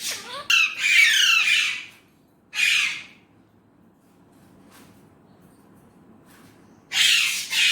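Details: Indian ringneck parrot reported to talk in Urdu/Hindi: a long loud grating squawk, a short second squawk, a quiet stretch with faint clicks, then another harsh call.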